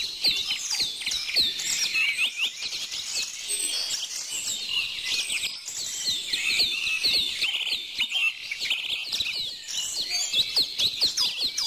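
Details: Crowded bird chorus of high chirps and quick whistled slurs, many voices overlapping, some short trilled runs rising above the constant twittering background.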